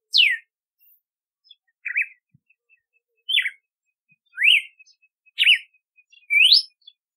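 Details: A red-cowled cardinal, also called campina, sings a series of bright whistled notes, falling slurs, zigzags and rising sweeps, about one per second, with faint soft ticks between phrases.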